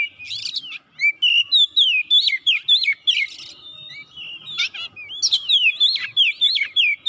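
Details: Oriental magpie-robin calling out for an opponent with a long, energetic song of rapid looping whistles, broken by several harsh rasping bursts, loud throughout.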